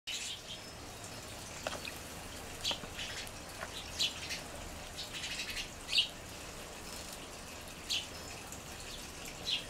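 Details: House sparrows in a group on the ground below a garden seed feeder, with more groups nearby; scattered short bright chirps every second or two over a soft steady background hiss.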